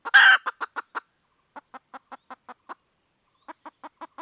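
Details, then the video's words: Red junglefowl hen seeking a rooster opens with a loud, harsh squawk, then gives three groups of short, regular clucks separated by brief silences. "suab poj qaib tsauj"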